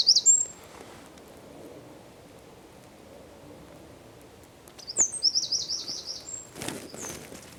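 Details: Eurasian wren in San Miguel de Daño, Zamudio, 4 December 2019: a brief high burst at the start, then a fast, thin trill of repeated notes, followed by soft rustling and tapping sounds.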